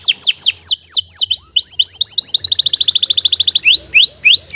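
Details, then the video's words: Singing canary: strings of arched, swooping whistled notes about four per second, then a rapid even trill of short notes, ending with slower rising whistles; bright and loud, with a faint low hum. "Kicau Burung Kenari II GACOR PANJANG"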